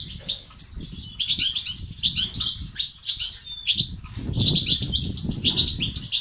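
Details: European goldfinch song in the styles locally called 'batbata' and 'sestesat', played to stimulate males to sing and become active. Rapid, dense, high twittering and tinkling notes pour out almost continuously, over a low rumbling background noise.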